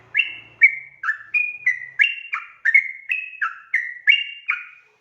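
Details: Lure song in the "ropel panjang" style from a yellow-vented bulbul, with lively whistled notes about two per second, each a liquid slur dropping to a lower tone. A faint low rumble is heard at the start.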